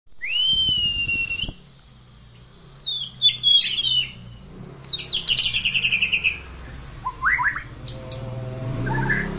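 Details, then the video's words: White-rumped shama song played as a lure to stimulate a quiet, rarely singing shama: a long rising-then-level whistle, then a varied run of sharp chirps, rapid ticking trills and downslurred whistled notes, with a low hum underneath. "PANCINGAN MURAI BATU BISU LEMAS JARANG BUNYI"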